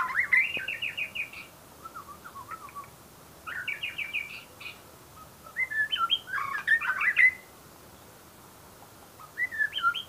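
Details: Lively white-rumped shama song: fast repeated trilled notes, then a varied series of clear whistles, slurred upward and downward notes and rapid chatters, delivered in several loud phrases with brief pauses between them.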